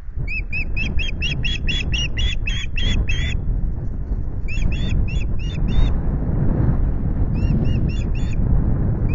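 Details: Wild osprey pair at a nest at Loch Garten, Scotland, in the evening; series of rapid, high, piping chirps in quick bursts with pauses, over steady low wind rumble.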